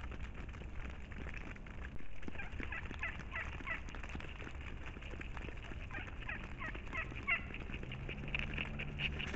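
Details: Turkeys in brush beside a marshy area and a field of planted pine trees, about 300 feet behind a house, calling as food is brought; rapid rattling gobbling bursts recur through the clip over a steady low rumble and crackling background.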